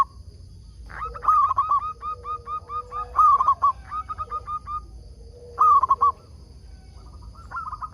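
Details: Local zebra dove singing actively as a lure bird to draw wild doves into answering. It gives clear mid-pitched cooing phrases of quick stuttered notes ending in a wavering coo, repeated about every two to three seconds in a quiet setting.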